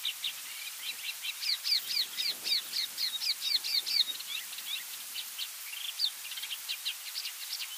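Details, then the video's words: Yellow-bellied eremomela singing a mimicked medley of other species' calls: a dense, fast run of high, varied chirps and short whistled notes, some rising and some falling, jumbled at an irregular pace with faint background hiss. "Yellow-bellied Eremomela mimicking many other species"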